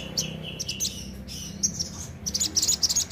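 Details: Lively sooty-headed bulbul song of quick high chirps and whistles, ending in a fast run of sharp notes, with a low background hum.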